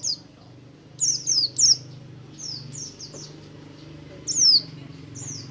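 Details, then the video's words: Oriental white-eye of the buxtomi variety in ngalas song, intended to stimulate other white-eyes: a few loud high downslurred whistles in a quick trio, then softer scattered notes over a low background hum. "BUXTO NGALAS, untuk merangsang pleci ombyokan agar cepat ngriwik"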